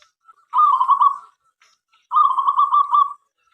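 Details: Local zebra dove singing to draw other doves into song: two rolling, bubbling trilled coos, each about a second long, with a short silent gap between them.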